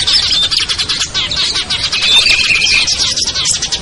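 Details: Many small birds, among them ciblek, kutilang, trucuk, sogon and perenjak, chatter in a lure call to coax birds down: a steady, crowded twitter with a couple of short thin whistles.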